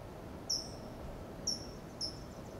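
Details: California towhee on a low perch in Del Monte Forest, California, giving thin, very high, sharp "tsip" calls, three short notes spaced about half a second to a second apart, over soft steady background noise.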